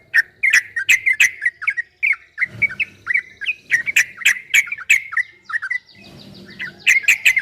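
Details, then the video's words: A yellow-vented bulbul's long 'ropel' song, recorded in 2023 to encourage caged bulbuls to answer: lively, repeated bubbly chirps in two bursts split by a short quieter gap. "Suara burung trucukan MASTERAN TRUCUK ROPEL 2023 TERBARU ‼️PASTI GACOR, TRUCUKAN ROPEL PANJANG"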